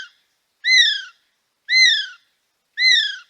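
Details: Male kiwi at Paignton Zoo giving long, piercing whistles that rise briefly then slide downward, repeated about once a second, with nothing else audible.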